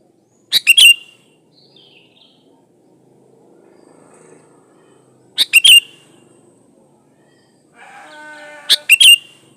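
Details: Natural song of a sooty-headed bulbul, used as a lure to start other bulbuls singing: three brief chortling phrases spaced several seconds apart, with soft background noise and a faint faraway call between them.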